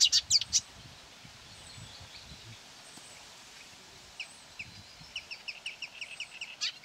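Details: Marsh warbler, lured by playback of its own song from a hung mobile phone, 9 May 2020 near quarry workings, attacks it and tries to out-sing it: sharp high chattering notes, a pause, then quick bright varied repeated phrases; faint hiss.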